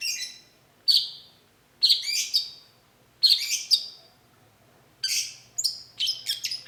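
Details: Long-tailed shrike (cendet) in vigorous lure song meant to draw an immediate reply: high, sharp chirps and short buzzy bursts in irregular clusters, separated by brief pauses, with a denser run of mixed notes near the end.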